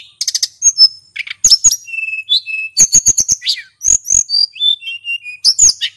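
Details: Lure recording of a singing male hill blue flycatcher. Rapid clicking bursts alternate with sweet level and falling whistles, keeping a dense, continuous flow with only brief gaps.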